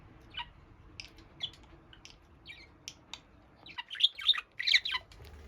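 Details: A lone budgerigar calls while by itself. Faint, scattered high chirps are followed by a louder rush of rapid, squeaky warbling notes near the end.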